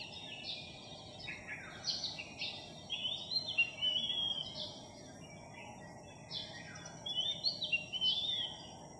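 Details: Philippine magpie-robin from a newly arrived, skittish village flock, recorded July 3, 2021; two bursts of rapid, varied whistled notes, sharp upslurs and warbled sweeps, separated by a brief lull, with constant background hiss.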